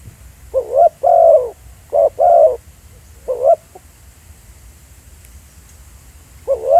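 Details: Mellow coos of a spotted dove recorded live at Pha Sing in a decoy field session. Two paired short-long phrases come first, then a single pair and a long silence before the cooing resumes at the end.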